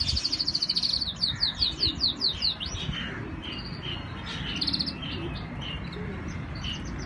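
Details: Pakistani canary collection in Islamabad in full song, opening with a rapid descending run of sharp whistled notes, then scattered chirps and short bright trills from several birds.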